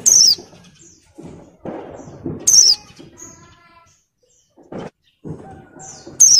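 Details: Breeding-condition female Oriental white-eye, moulting, calling males in ngalas style. Three shrill, downslurred whistles spaced about two to four seconds apart, with low bumping and rustling noises between them.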